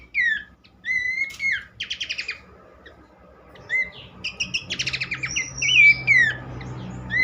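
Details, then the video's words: Horsfield's babbler singing in a recording for bird keepers: scattered falling whistles, short rattles, then a buzzy trill run and rising-falling whistled notes, with background hiss between phrases. "gacor burung pelanduk semak"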